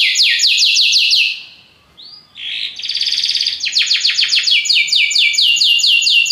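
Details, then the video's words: Belgian canary singing a very powerful song: a quick series of descending sweeps, a brief pause with a soft upslurred whistle, then a dense buzzy trill giving way to rapid repeated downward strokes. "belga canário encantador, canto muito poderoso"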